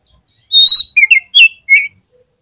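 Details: Oriental magpie-robin singing a short lure phrase to draw other magpie-robins into song: a long steady high whistle, then four loud, slurred, falling whistled notes in quick succession.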